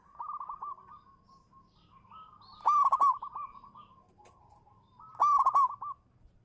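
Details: Lure song of a local zebra dove: a quiet rolling coo builds into two louder bursts of rapid, chattering staccato notes around a sustained mellow tone, repeated roughly every two and a half seconds.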